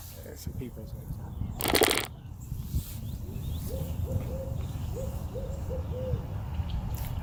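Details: An owl hoots in Crescent Bend Nature Park, an urban park in Schertz, Texas. Soft, low hoots come in short clusters from far off, seemingly moving farther away, under a steady rumble of traffic and wind, with brief handling noise.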